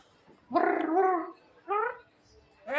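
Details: Javan myna kept as a pet producing two loud, gargled, speech-like phrases, the first long and wavering, the second shorter and rising, over faint background music.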